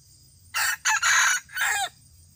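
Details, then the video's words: A 2018 red junglefowl crow, harsh and far-carrying, broken into a short note, a quick second note, a long even middle section and a final phrase that drops in pitch. It stands out clearly over a quiet background. "Qaib dib qua tau zoo heev"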